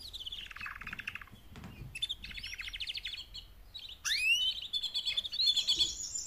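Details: Female canaries calling to urge males into song, with fast rattling trills, then a sharp rising sweep followed by bright, high chattering phrases.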